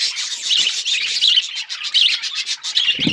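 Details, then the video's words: Group of budgies recorded February 18, 2024, giving a busy, rasping chatter of high twittering notes and short squeaky chirps, many voices overlapping, with a brief low thump near the end. "budgies bird birds chirping sounds"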